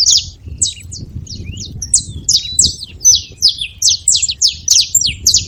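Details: Wild saffron finches noisily calling at a feeding spot, crisp high chirps with short falling tails repeated in quick succession, growing busier toward the end, over soft low background hum.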